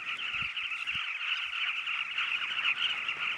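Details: Nesting carmine bee-eaters in a steady, dense chorus of throaty, rolling mid-pitched calls from many birds, overlapping without pause, with a few low thumps early on.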